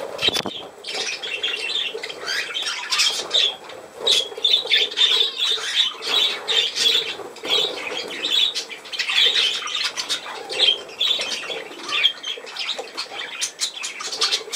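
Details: Budgerigar chatter, long and steady: a continuous stream of raspy warbles, chirps and clicks with occasional wing flaps.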